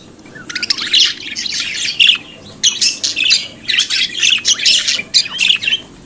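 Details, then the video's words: Pet budgerigar chattering with dense raspy warbles and rapid clicks in bursts of one to two seconds, separated by short pauses. "Periquito Cantando e Conversando Sonidos de Periquito Australiano"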